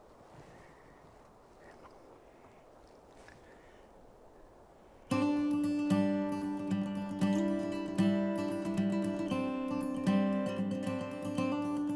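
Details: Faint outdoor hiss and light background noise for five seconds, then strummed acoustic guitar music fills the rest.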